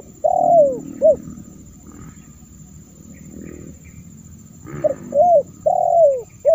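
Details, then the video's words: Spotted dove lure call for attracting wild doves. A long falling coo and a short note open the recording, then a murmur of low background noise, then the same soft hooting phrase returns twice more. "Suara Terkukur//Untuk Memancing Burung Terkukur"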